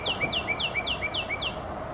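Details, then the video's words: Northern Cardinal singing on a forest trail in Markham, 31 May 2021: a rapid run of six clear, downslurred whistles, each dropping from high to lower pitch, about four per second, over faint hum. "Northern Cardinal singing"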